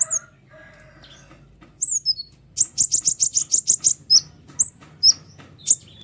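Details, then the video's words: White-winged triller song for training other birds begins after faint lower warbling, then a quick even series of about a dozen buzzy high notes followed by scattered downslurred whistles. "konin sayap putih unik full nembak rapat tajam suara jelas paling bagus untuk masteran kolibri ninja"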